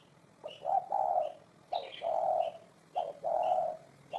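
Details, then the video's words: Spotted dove repeating its hollow coo about every 1.2 seconds, each a short note rising into a longer low tone, while a smaller bird chirps high in the background. "Tổng hợp tiếng chim cu gáy hay năm 2018"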